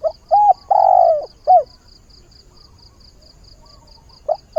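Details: Lure spotted dove calling at daybreak to find a mate. One full cooing phrase: two short notes, a long falling coo, then a short final note. After a pause, the next phrase begins. A regular faint high ticking runs throughout.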